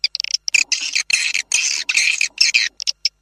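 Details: High, rasping twitters in a swiftlet lure meant to bring the birds in to nest, tested outside: a few short chirps, then several long, harsh buzzy bursts, ending with short chirps.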